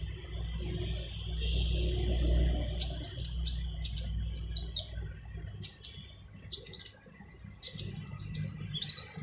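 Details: Harsh training song of a brown-throated sunbird (kolibri ninja): rapid clusters of sharp high ticks and short whistled slurs, irregularly spaced, after a quieter start with low background rumble.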